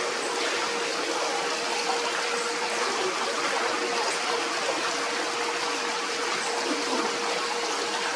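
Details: Steady rushing, water-like hiss fills the whole stretch, with a constant low humming tone underneath and no animal calls.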